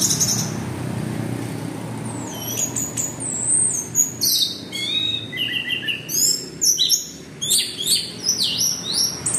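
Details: Orange-headed thrush (anis merah) singing in the lively 'gacor teler' style, used as a lure recording. Rapid varied whistled phrases: sweeping upslurs and downslurs, short trilled notes and chattery bursts, delivered almost without pause, with faint background hum.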